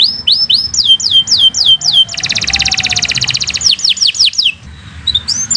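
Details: Canary in full song for use as a training master: a run of loud downslurred whistled notes about four a second, then a rapid buzzing trill, more descending whistles and a fading close.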